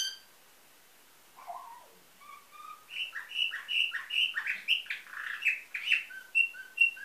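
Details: Canary singing a nightingale-style song, bred in Varna, Bulgaria, 2013: a few low soft notes after a pause, then a rising sequence of rapid bubbling trills and clear piping whistles.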